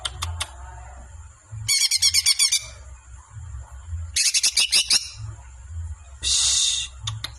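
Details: Caged-bird training song in kicau-mania style: loud bursts of rapid, high, buzzy trills lasting under a second each, separated by pauses, with scattered single sharp chirps over a low background hum.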